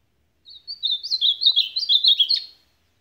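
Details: Rapid-billed supapo song of an ultramarine grosbeak, a brisk series of warbled whistles about two seconds long, closing on a sharp upward-and-down note; no other sounds.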